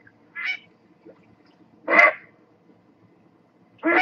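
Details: Great Blue Heron uttering separate hoarse, grating squawks about one to two seconds apart, the middle one loudest and broadest, against a quiet background.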